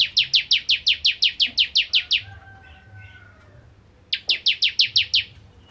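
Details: Bar-winged prinia singing in 'nembak ngentrok' style: about twelve rapid, sharp descending chips, a two-second pause with faint softer chirps, then seven more chips in the same fast rhythm.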